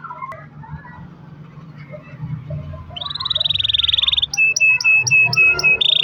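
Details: Canary song meant to prompt other canaries to sing; after quiet murmuring background, a steady rapid trill begins, followed by evenly spaced sharp notes over a lower tone and another trill.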